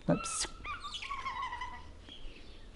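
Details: Rosie, a 38-year-old male Crowned Eagle at a sanctuary in Naivasha, Kenya, gives his long two-tone display call during an active mating period: clear, drawn-out whistled notes that slide slightly downward, with a brief burst of human voice at the start.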